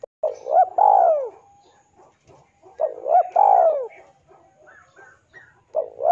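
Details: Male spotted dove calling to a rival, used as a lure for trapping; mellow phrases of a short note then a longer, descending coo, repeated about every three seconds against a quiet background.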